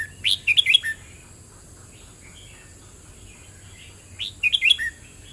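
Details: Red-whiskered bulbul song phrase of bright rising and falling whistled notes, then nearly four seconds of quiet with faint distant chirps before the same warbling phrase returns.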